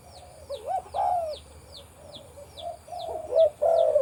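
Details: A deep-voiced breeding male spotted dove kept on a farm coos in short rising-and-falling low notes, with a loud burst near the end, over a steady series of thin high chirps.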